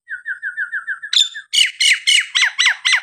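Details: Singing Nias hill myna, a recording meant to goad quiet birds into singing: a rapid run of level whistled notes, then a string of six loud, harsh, falling squawks at a steady pace.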